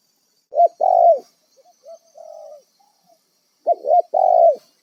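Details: Wild spotted dove used as a decoy for trapping, giving low hoarse coos: a short double note and a longer drawn-out coo, the phrase repeated after about three seconds with soft faint notes between.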